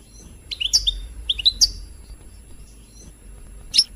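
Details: European goldfinch song used to stimulate singing: a few scattered, high, sweet twittering notes and slurred chirps over a low background hum, with a sharp final note.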